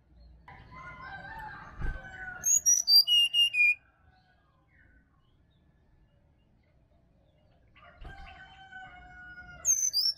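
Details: Bali forest sirdadu, played in the morning to coax a reluctant caged bird into singing. A murmuring low warble with a single knock, then a burst of bright descending whistles, a long silence, and the phrase starting again.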